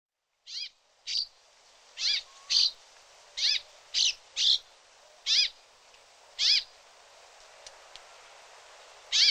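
A brambling gives about ten short, nasal, downslurred calls at irregular intervals of roughly half a second to a second, with faint background hiss.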